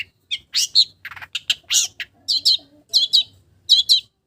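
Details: Long-tailed shrike mimicking village birds: a varied run of harsh buzzy bursts and scratchy rattles giving way to repeated doubled high chirping phrases, each pair about two-thirds of a second apart.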